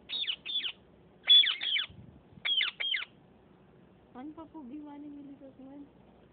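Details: Parrots fighting, described as Sindhi speaking birds: quick clusters of harsh, descending squawks in the first three seconds, followed by a lower, tonal human-like voice sound with soft background murmur.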